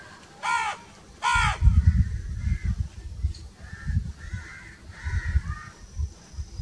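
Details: Crow giving two quick harsh caws in succession, then fainter bird calls over loud low rumbling noise.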